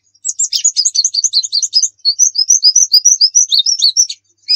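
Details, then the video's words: White-eye master song of the lively 'nembak' style, used as a lure: rapid high chirps and whistled notes in fast runs, about 200 elements a minute, then rising slurred whistles, clean background. "Masteran pleci nembak"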